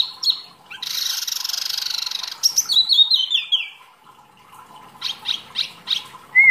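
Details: Mini wambi delivering lively masteran song. A long buzzy, hissing trill is followed by a descending series of clear whistled notes, brief chirps, and a closing rising whistle.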